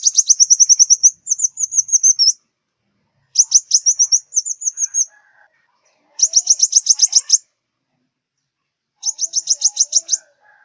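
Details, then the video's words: Piercing high trills of a sunbird, locally the five-colour sunbird of southern Vietnam, played to lure birds to glue traps: four bouts of fast ticking notes, some followed by slurred whistled runs, with short silent gaps. "Tiếng chim hút mật 5 màu miền Nam"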